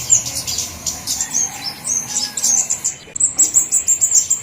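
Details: Luring call of a flowerpecker: jumbled high-pitched twittering gives way near the end to a clear string of sharp, rapid ticks, all very thin and high.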